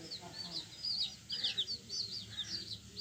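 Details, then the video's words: Brief burst from young yellow chickens: sharp, wavering peeps overlapping in quick succession, thin and high, against a quiet murmuring background. "Hen Chicks Colour full Yellow Baby Of hen Chirping Sounds"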